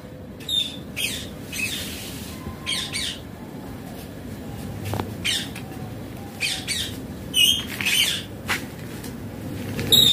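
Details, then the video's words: Pet parrot at home, chatting with its owner: repeated short harsh high squawks, roughly one every two or three seconds, several clustered toward the end, over a steady low rumble of room noise. "Parrot mummy se baat kar raha hain || baatuni parrot"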